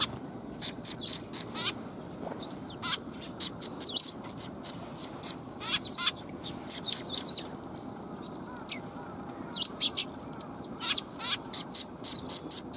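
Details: Sparrows coming to get food on 20 March 2021, giving a busy stream of short, high chirps and tweets in quick bursts, several birds overlapping, with a low background rumble throughout.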